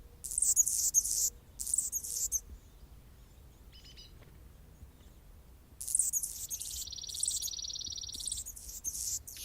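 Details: An Anna's hummingbird singing on a branch in Golden Gate Park, San Francisco, California, gives thin, scratchy, very high squeaks in quick bursts, then a dry buzzing trill after a quiet pause.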